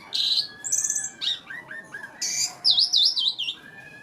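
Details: Asian pied starling (jalak suren) song for luring nervous starlings: harsh bursts and trilled notes, low hooked whistles, then a rippling wavering high warble.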